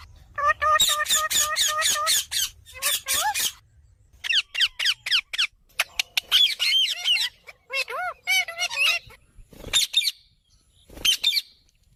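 A young sun conure gives rapid, squeaky, rasping begging calls in quick bursts while being handfed.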